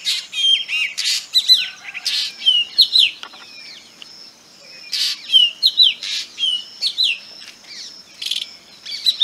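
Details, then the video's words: A black drongo gives a busy stream of harsh, scolding chirps mixed with bright, metallic down-slurred whistles, delivered in quick clusters with a brief lull near the middle before the noisy calling resumes. "Black Drongo Call"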